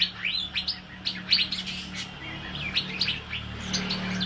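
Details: Asian fairy-bluebird in lively song for tutoring other birds, heard a little more distantly: sharp upslurred whistles and quick chirps given in short, spaced bursts over a steady low hum.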